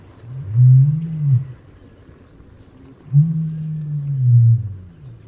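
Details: Common ostrich producing two long, deep, humming booms, each over a second long, separated by a quiet gap, with faint background noise.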